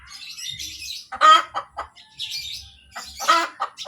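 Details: Hen calling after laying an egg: two loud harsh squawks with short clucks around them, plus softer high chirping from other birds in the background.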